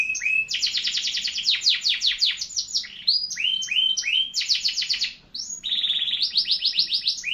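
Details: Loud canary song of dense rolling trills, phrases changing pitch between blocks of rapid notes and short swooping whistles, delivered nearly without pause.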